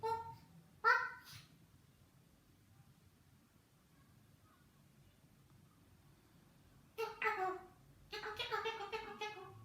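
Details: Pet eclectus parrot chatting indoors: a short nasal harmonic call and a brief squawk at the start, a long quiet stretch, then several rich, voice-like harmonic utterances in quick succession near the end.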